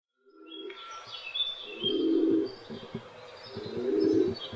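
Several pigeons coo in low, throaty, rolling bursts, with faint higher chirps from other birds behind.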